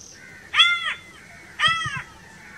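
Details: Crow giving two loud, harsh caws about one second apart, each rich and arched, with faint higher calls of other birds in the background.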